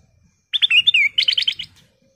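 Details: A golden bulbul (kutilang emas) gives a bright, slurred whistled phrase, then a quick run of five or six chirpy notes, all in little more than a second; offered as a call to lure bulbuls.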